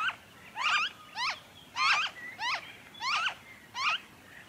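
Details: Noisy friarbird recorded in Victoria, Australia, in February 2023: loud raspy, crackling notes given in uneven clusters, with short thin whistles in between.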